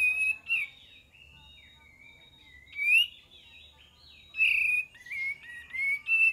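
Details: Lure recording of kapas tembak singing: fluid whistled notes with slurred rises and falls, arranged in bursts about every second or two, some short and sharp, others drawn out and warbling.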